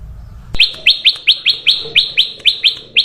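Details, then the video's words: Sooty-headed bulbul sound used as a lure for other birds: after a sharp onset, a loud run of about ten high, bright, clipped notes, each slurring slightly downward, repeated roughly every quarter second. "SUARA BURUNG KUTILANG EMAS UNTUK PANCINGAN DAN SUARA PIKAT"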